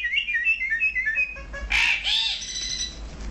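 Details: Male and female Brahminy starling pair in Kuwait: a quick run of short, high whistled notes dipping and rising, repeated rapidly, then a harsh, buzzy burst and a lower gurgling note.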